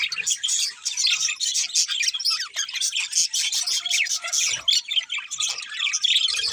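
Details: Budgie pair chirping continuously, shrill warbles and quick rising squeaks densely layered, with a brief faint steady tone and a soft low knock midway.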